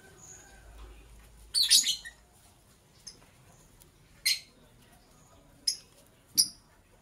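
A lovebird gives a few sharp, high chirps, one rough burst followed by three short notes spaced about a second apart, with quiet pauses between.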